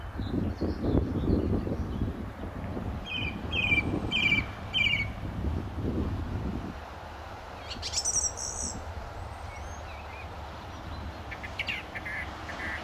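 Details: Male Song Thrush singing from a wire or tree by a St Albans gravel pit, Britain, May 2012; a short whistled note repeated four times, later a thin very high phrase, over noticeable low rumbling background noise.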